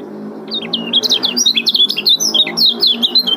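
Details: Male lemon-bellied white-eye from Lombok giving rapid, tightly packed 'ciak' calls, used to lure and prompt silent birds into singing: fast high chirps and twisting squeaky notes, several per second, over a faint low hum.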